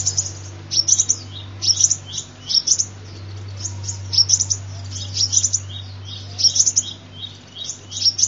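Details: Sunbird song used as a lure call: high, thin chirping phrases repeated in quick bursts about every half second to second, over a persistent low hum.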